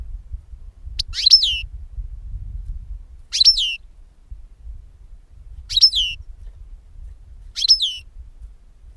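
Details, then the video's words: European goldfinch, recorded for luring birds into capture, giving four separate bright, descending slurred twitter phrases roughly every two seconds against a quiet low hum. "Chardonneret qui chante"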